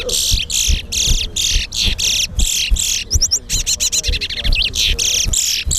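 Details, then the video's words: Caged chestnut-bellied seed finch (towa towa) in a singing competition at Guyana National Stadium: about ten regular buzzy rasping bursts, a quick series of rising whistled notes, then more buzzes, against crowd voices and background music. "TOWA TOWA BIRD SINGING COMPETITION"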